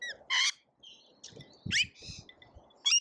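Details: At a feeder in Australia, lorikeets in a feeding frenzy give a few loud, harsh screeches with short quiet gaps between them, over soft low bumping from the feeder. Filmed by a feeder camera.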